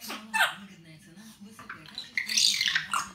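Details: A pet grey parrot, described as sometimes angry and swearing when irritated, gives harsh, raspy squawks and speech-like bursts, loud and high, over a low hum; its owner speaks briefly.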